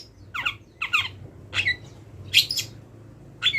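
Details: Long-tailed shrike, not yet done moulting, giving a mimicry-filled song of wild-bird sounds. It comes as five separated harsh, squawky notes with bent whistled overtones, spaced roughly every half second to second, over a steady low hum.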